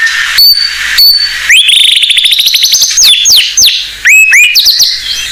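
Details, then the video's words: Blorok white-rumped shama singing to train raw shamas. Short high pips, a fast rising rattling trill, then a mix of down-slurred and looping whistles in quick succession. "Murai Blorok Gacor Bongkar isian Pancingan Burung Murai Batu Bahan"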